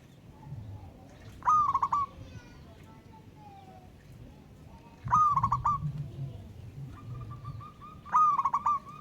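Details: Wild local zebra dove calling to a rival: three loud coos, each a held note dropping into quick pulsed beats, with softer faint bird notes between them and low background rumble.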